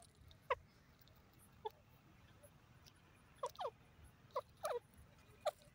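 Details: Grey francolin calling: short, sharp, high notes given singly, then in quick pairs and triplets, scattered over a few seconds with quiet pauses between them against a low background hum.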